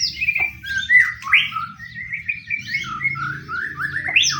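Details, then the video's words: Pastol murai, a white-rumped shama in fighting mode, its song played as bait to set other shamas singing: rapid varied whistles, upslurred and downslurred notes in quick succession, with a faint low hum behind. "pancingan murai pastol tarung murai apapun akan ikut bunyi"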